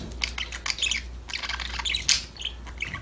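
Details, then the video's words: Happy budgies playing and chirping together: a quick run of bright, squeaky tweets and short trills, closely spaced, with a faint steady hum underneath. "Your #budgies will start chirping, talking, playing"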